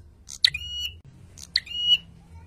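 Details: Training recording of a prinia (prenjak) for cage-bird keepers, said to make males angry: two calls, each a bright click that drops into a half-second level buzzy note with strong overtones.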